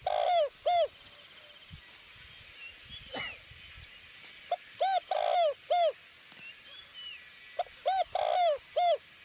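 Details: Decoy spotted dove from Northwest Vietnam repeating its cooing phrase three times, each a short note followed by arched and drawn-out coos, with a loud steady high-pitched whine and a brief rising chirp throughout.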